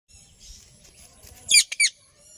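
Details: Ringneck parrot giving a few short, sharp, high chirps in a quick cluster of three notes near the end, after a quiet stretch with faint background hiss.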